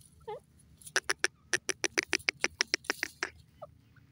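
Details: Grey francolin (desi teetar) calling: a rapid run of sharp, harsh clicking notes, roughly three per second, rising and falling in loudness over about two and a half seconds, with low background rumble.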